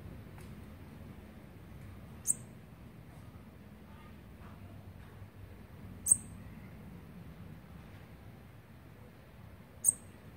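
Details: Olive-backed Sunbird nestlings on their twelfth day of being fed, 29 September 2019, giving single sharp, very high-pitched squeaks spaced about four seconds apart, three in all, against a quiet low rumble.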